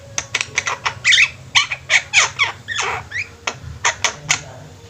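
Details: Javan myna in a flock, singing actively: rapid harsh squeaks and scratchy rasping notes, some short upward-sliding whistles, bursts spaced about a quarter second apart, faint low hum in the background.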